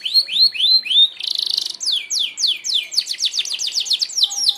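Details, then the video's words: Merlok canary giving a sharp shot song for tutoring other birds: three rising-falling whistles, a brief harsh buzzy trill, then a rapid series of steep descending whistled notes repeated several per second. "tembakan tajam kenari merlok, sangat ampuh buat pemasteran burung anda"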